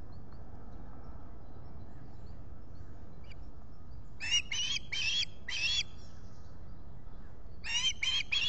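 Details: Osprey at its Finger Lakes nest in July, squawking in short bursts: four harsh, high, shrill notes midway, then after a quiet gap three more, over a low steady background hum.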